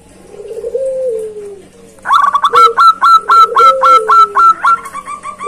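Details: Zebra dove giving a loud call toward a rival: soft low coos sliding downward, then a fast run of bright, clipped, even notes repeated about four times a second.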